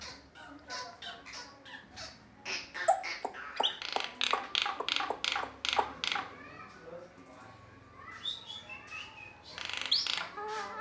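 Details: Asian pied starling, able to imitate the sounds of other animals, giving a rapid run of harsh, clicking and chattering notes with short whistled phrases, irregular and dense, pausing briefly before a final burst of squawky chirps.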